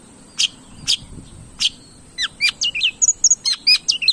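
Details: Long-tailed shrike singing: three spaced sharp notes lead into a quick, varied run of high chirps, slurred whistles and squeaky twitters.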